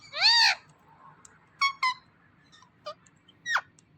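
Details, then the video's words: Talking ringneck parrot kept as a pet utters a loud, drawn-out, arched syllable, then a quick doubled word and several short, sharp notes, with silence between them. "So Cute Talking Ringneck Parrot"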